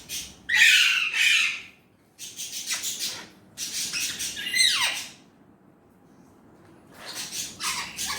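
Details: Indian ringneck parrot, also called an alexandrine parrot in the description, imitating Urdu/Hindi speech: grating squawk-like words, a falling slurred syllable, a long pause, then a final raspy phrase.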